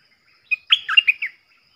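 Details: A captive Stripe-throated Bulbul decoy bird gives a brief, bubbly song phrase: a single chirp, then five quick liquid warbling notes, in a quiet background.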